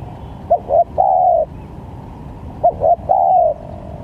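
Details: Spotted dove calling to lure others for trapping, with varied calls: two phrases, each two short notes followed by a sustained, downward-sliding coo, over a quiet low rumble.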